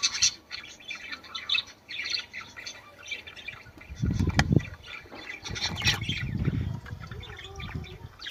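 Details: Budgerigar warbling to stimulate mating: continuous chatter of squeaks and squawks, with sharp clicks and loud low thuds in the middle of the passage.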